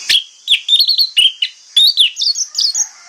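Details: Morning song of an orange-headed thrush, played to prompt other thrushes to reply: loud, varied whistled phrases in quick bursts, some sliding upward, separated by short pauses, with a constant high-pitched hiss behind.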